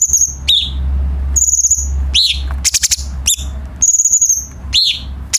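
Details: Cucak cungkok bulbul singing, a recording meant for tutoring captive songbirds: clear high sustained whistles, downward-sweeping chirps and brief clicking bursts, over a low background hum.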